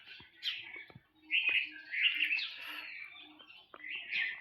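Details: In the morning, red-vented bulbuls that are gathering straw to build a nest, and possibly fighting one another, give bursts of harsh, bubbly chattering calls in quick succession, with a few clicks and faint voices behind.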